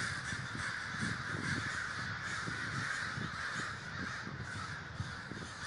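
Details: Large communal gathering of crows in Davis, California: a dense, unbroken chorus of overlapping harsh caws from many birds, with a steady low rumble underneath.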